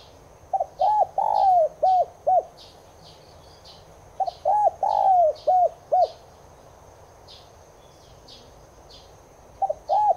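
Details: Cooing Spotted dove (Streptopelia chinensis tigrina), used to stir caged doves into cooing: two phrases about three and a half seconds apart, each of short rounded coos around one long sliding coo, a third phrase starting at the end, soft chirps above.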